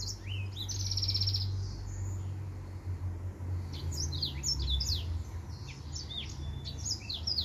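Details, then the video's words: Male white tip finch singing: a buzzy trilled note, then a quick run of high, sharp chirps and upward-slurred whistles repeated about four times a second, over a steady low hum. "White Tip Finch"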